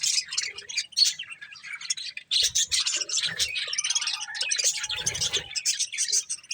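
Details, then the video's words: Budgies eating corn chatter in rapid high chirps and scratchy warbles, broken by short gaps, with soft rustles and pecking sounds in the background. "Cute Budgies Enjoying Eating Corn | Love Birds Chirping Sounds"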